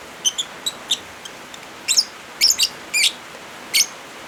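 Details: Lovebird calls combined with rain sounds to coax non-singing birds: a run of thin, quick high chips, then louder, harsher squeaky bursts in pairs, all over a constant wash of rain.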